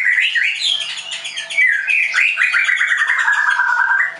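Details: Captive Leuser shama (White-rumped shama) at a Tangerang training school in Indonesia gives a loud continuous warble of swooping whistles and quick rattling notes that slowly drop in pitch.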